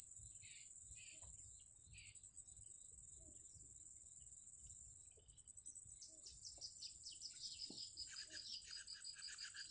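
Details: Newly hatched bittern nestlings, possibly Yellow Bittern, beg for food with short, high chirping calls, a few at first, then a busier cluster of overlapping squeaks, over a steady, shrill insect drone.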